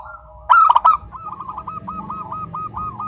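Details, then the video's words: Crystal-voiced local zebra dove in continuous song: one loud stuttering burst of short notes, then a long, even, rolling trill of rapid soft coos. "Perkutut Lokal GACOR SUARA KRISTAL MANGGUNG TANPA JEDA"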